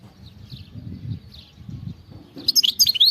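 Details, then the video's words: European goldfinch from the wild, field-type singing: after soft distant notes and low rumbling noise, a short loud burst of high twittering and sliding whistles. "غناء خلوي صوت وصورة نقية جدا من أروع ما ستشاهد على منصة اليوتيوب HD video singing carduelis"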